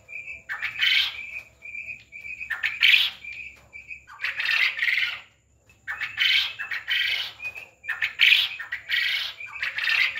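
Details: Quail on a farm alternating short high peeps with loud, harsh, rasping bursts, repeated throughout with brief pauses.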